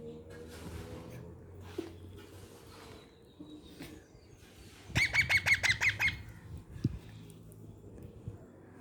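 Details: Baby parrots rescued in India after falling from nearby trees give hungry feeding-time calls. About seven loud, buzzy squawks follow in quick succession in a brief burst, over steady low hum with scattered soft clicks before and after.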